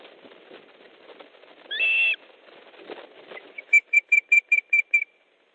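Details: Osprey at a nest in Estonia on 3 August 2014 at 15.30, during a fish delivery as a second bird arrives: one sustained whistle, then a quick run of seven short, bright whistled notes over soft background hiss.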